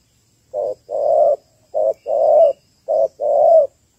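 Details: Spotted dove hen, Malaysian type, calling to stimulate males for ground trapping; after a brief silence, three short-long pairs of low hollow coos evenly spaced, then the start of another note.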